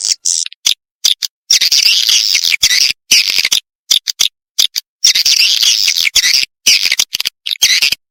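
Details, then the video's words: Swiftlets of Kalimantan twittering in two long, dense buzzy high-pitched spells, separated by choppy silences and scattered clicks. "suara walet kalimantan"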